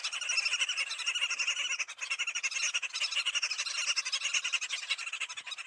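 Green Wood-hoopoes cackle in a harsh, rapid, unbroken chatter, several birds overlapping in a loud rising-and-falling chorus throughout.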